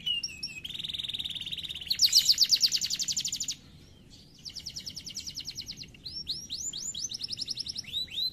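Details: Canary song with a low steady trill, then a loud pulsing buzzy roll, a brief pause, another rapid trill and a closing run of rising whistled swoops.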